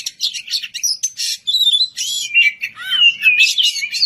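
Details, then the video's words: White-rumped shama (kacer) calling an opponent with lively song: dense scratchy chatter opening into clear whistles that slide downward, delivered continuously. "Kicau merdu suara kacer ngeplong memanggil lawan, kacer apasaja langsung nyaut bunyi gacor!"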